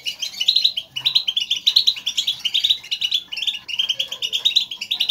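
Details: European goldfinches chattering as a group, a sound expressing their presence and used to excite caged goldfinches into song; steady stream of sharp twitters and buzzy trills, repeated bursts.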